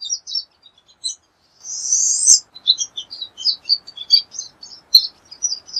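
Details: Pine siskin song: quick high twittering chirps run throughout, broken near the second mark by one long harsh buzzy note, then resuming as a fast, varied chatter of short notes; no other sounds.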